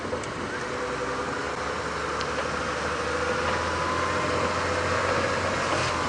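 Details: Loud, constant engine rumble from an idling vehicle, with no animal calls standing out.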